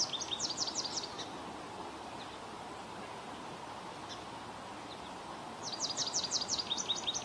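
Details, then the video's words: American goldfinch in Ontario giving bursts of high, quick descending twitters, one series at the start and another near the end, separated by near silence apart from constant low environmental hiss. "Bird Chirping Sound - American Goldfinch"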